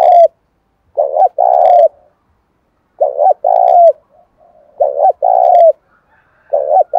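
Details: Spotted dove roused to fight in the windy, rainy seventh month, calling to excite wild doves: a run of low mellow coo phrases about every two seconds, each a short stutter then a longer coo sliding down.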